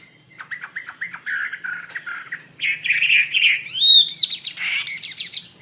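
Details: Chinese hwamei in lively song, for use in training other birds: a dense, slightly harsh warbling stream of whistled notes, growing louder and climbing higher, with a clear sweeping whistle near the end.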